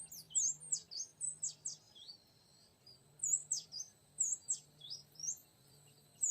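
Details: High whistled and slurred notes of an oriental magpie-robin, aimed at luring a young wild male, come in two bursts separated by a quiet gap, over a low continuous hum.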